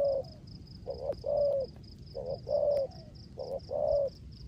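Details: Spotted dove kept as a decoy, cooing 'rước gù' style in the rain: three low two-note phrases, a brief note then a longer slightly falling coo, over a steady high-pitched ticking.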